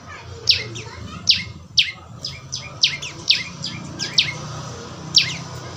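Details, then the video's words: Steady series of sharp, descending high chirps, roughly two per second, from a young prinia in a natural recording used to encourage another bird to sing; faint background noise throughout. "Burung prenjak lumut suara asli alam"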